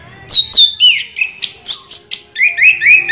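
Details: Orange-headed thrush giving a continuous rolling song: rapid, varied clear whistles and downward-sliding slurs, some rising notes, about a dozen phrases packed into three seconds with barely a pause, in high and mid registers, quiet background.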